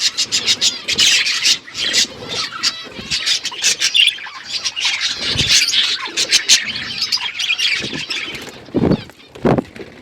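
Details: Outdoor aviary with a flock of budgerigars chirping: rapid, continuous high twittering and warbling, punctuated by clicky rustles and a few louder bursts toward the end.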